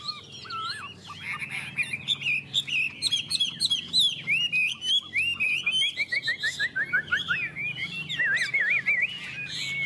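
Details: Two Chinese hwamei in a singing contest: dense, varied whistled song with twisting phrases, rapid trills of repeated notes and overlapping voices, loud and continuous.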